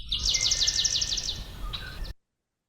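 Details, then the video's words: Swamp Sparrow song: a slow, uniform, lazy trill of about a dozen high, sweet notes on one pitch at a steady pace, not speeding up or slowing down, followed by a few faint chips. "Hopefully, the song of swamp sparrow, it's a slow, uniform, lazy rattle or trill."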